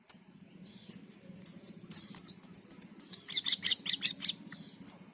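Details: Black-and-white bulbul, locally cucak keling, in vigorous song: high paired whistles, then a quick series of buzzy chip notes repeated nearly twice a second, with a low hum underneath.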